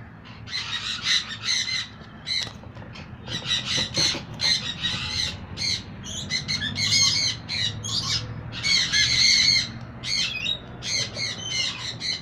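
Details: A female pied yellow sun conure gives loud, harsh squawks in quick repeated bursts.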